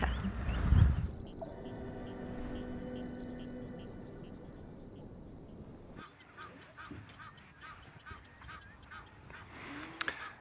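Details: A few Egyptian geese give quick, harsh, repeated honks on the Leeuwenbosch flats on a morning safari in the African bush, 31 August 2025, after a steady droning hum and a burst of wind noise.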